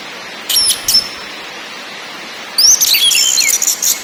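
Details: {'text': 'Orange-headed thrush, lure recording of ngakrak, ngeplong and nyiul song: a short high whistled phrase, a long quiet gap, then a dense burst of thin slurred notes and quick chatter.'}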